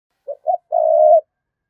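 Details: Spotted dove lure bird cooing to provoke wild doves: two short low notes followed by one long, steady coo, all in a narrow mid-low pitch band, in quiet surroundings.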